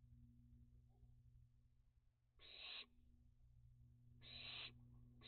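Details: Two young barn owls at dusk during a heatwave and drought, 29 June 2021, flying and using a bird bath; two loud, breathy, rasping screeches about two seconds apart over a constant low electrical hum.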